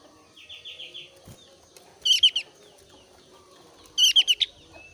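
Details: Javan grey-throated white-eye of the thin-browed type, in breeding condition, singing to lure other white-eyes into song: a soft descending series of whistled notes, then two loud bursts of rapid, harsh, high chattering notes about two seconds apart.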